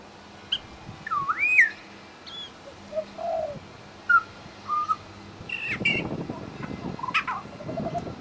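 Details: Pied butcherbird imitating other birds at a bird sanctuary: a looping whistled phrase, a low dove-like coo, short clear whistles, then scratchy high notes over a rustling background.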